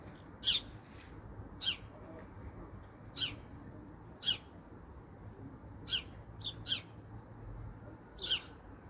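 House sparrow giving short, sharp chirps, single or in quick pairs, spaced about one to two seconds apart over a soft background hum.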